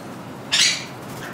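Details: A captive sun conure, kept with crimson-bellied conures in a bird room and trained to fly to the hand, gives a single harsh, grating screech, loud and brief against a quiet background.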